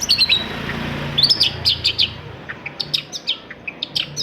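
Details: Long-tailed shrike song played to get silent shrikes singing: a thin high whistle, then bursts of quick sharp chirps and ticking notes repeated in short series, above a low background hum.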